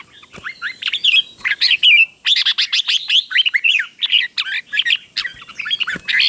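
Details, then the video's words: Caged-bird training song of a red-whiskered bulbul, a teacher bird with phrases doubled in pairs. A dense run of quick, bubbly whistled notes, chirpy and tumbling, with a short gap near the middle. "เสียงนกกรงหัวจุก | สุดยอดนกครู เบิ้ลชัดๆ เบิ้ลเป็นคู่ๆ เสียงกระตุ้นนกรงหัวจุกเสียงนกครู"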